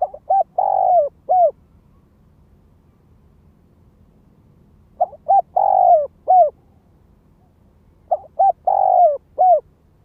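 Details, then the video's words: Ground lure Spotted dove calling in the gáy gọi, thúc, kích bổi manner, three cooing phrases spaced about three seconds apart, each of quick short notes, a long falling coo and a sharp ending note, with the background quiet. "Tiếng chim cu gáy mồi đất Gáy Gọi Thúc Kích Bổi"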